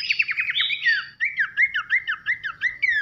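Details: Brief loud pelanduk semak (Horsfield's babbler) masteran for songbird training: a hurried run of slurred whistles, a short break, then rhythmic bouncing downslurred notes about five per second.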